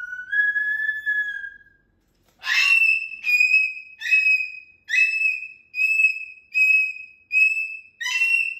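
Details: Pet cockatoo making a long steady whistle, then a series of about eight sharp, ringing calls repeated roughly every second, loud and clear indoors.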